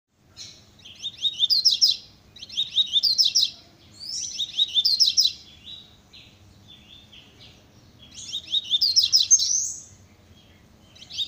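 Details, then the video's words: A Double-collared seedeater sings very fast, high, twittering phrases of about two seconds each, broken by short pauses, over a faint background hum. "Coleiro muito rápido velocista"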